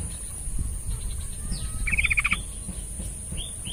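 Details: Yellow-vented bulbul singing, a recording meant to stir a quiet bird into song: a short rattling run of fast clipped notes, preceded by a faint rising whistle, with low thumps and hiss around it.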